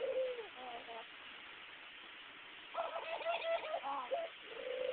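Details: Pet dove cooing while bobbing its head, a habit it keeps up day and night, recorded on a phone; soft low coos open and close, with a longer warbling, throaty coo phrase in the middle and a faint background hiss.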